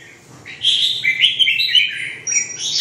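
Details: Red-whiskered bulbul in a lively, continuous song of loud, bright warbled notes that rise and fall, sustained through most of the clip.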